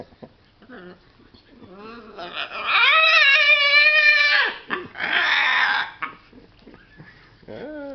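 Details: Pet macaw playing with a favourite towel indoors, giving a loud, harsh, drawn-out squawk lasting about two seconds, then a shorter raspy screech, with softer chatter and small sounds before and after.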